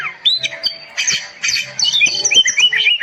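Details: Oriental magpie-robin singing as a tutor recording meant to rouse silent birds: short, rapid bursts of clear whistled notes mixed with harsh chattering, shifting pitch from phrase to phrase, delivered in quick succession.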